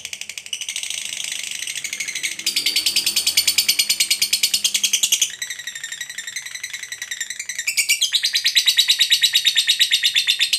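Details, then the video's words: Lovebird, said to be lazy about singing, provoked into its long ngekek chatter: continuous high, rapid rattling trills packed into dense pulses, running with brief breaks through the whole stretch in a small indoor space. "Lovebird Bisu Malas Bunyi Bakalan Segera RESPON Terpancing EMOSI NGEKEK"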